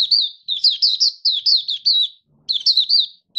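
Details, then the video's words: Oriental white-eye from Malaysia, locally Mata Puteh, kept caged and singing buka style, 1 August 2023: an almost continuous stream of high, slurred, chirpy notes repeated quickly, one short pause before the twittering resumes. "Malaysian Mata Puteh - Buka Sing"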